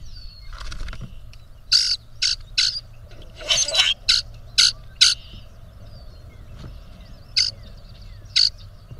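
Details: Two male grackles in a duel for a female, puffing up and showing off; a series of about ten sharp, loud, scratchy squeaks, bunched in the first five seconds, then sparser, over faint whistled slides and low hum.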